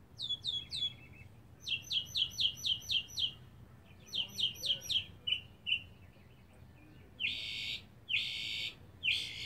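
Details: A lone mockingbird sings and displays in a back yard, seeking a mate: high chirp phrases repeated in quick sets, a trilled run, then longer buzzy rasping notes, each type given several times before switching.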